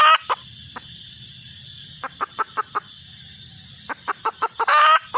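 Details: Mating call of a red junglefowl hen: sparse single clucks, then short groups of four or five sharp notes, interrupted by loud raspy blasts near the start and the end. Low background rumble.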